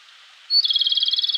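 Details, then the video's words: Japanese robin singing vigorously in early-morning mountain forest of Koshin, Japan, in May; a short level whistle drops into a long, steady machine-gun trill of rapid pulses that continues to the end. "コマドリ 鳴き声"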